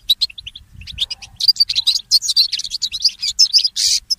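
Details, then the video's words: Goldfinch mule, a goldfinch hybrid, singing in the early morning, used for training songbirds: a fast, dense twitter of high chirps and short trills that builds from scattered notes into a continuous run. "The inspiring Motif of the Mule Goldfinch"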